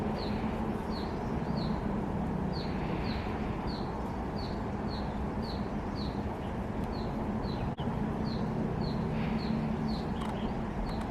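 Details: Grey-headed canary-flycatcher in Hong Kong on 22 December 2020, recorded with a Canon M50 camera: short, thin, high chirps repeated about twice a second, steady and evenly spaced, over a constant low rumble of traffic-like noise.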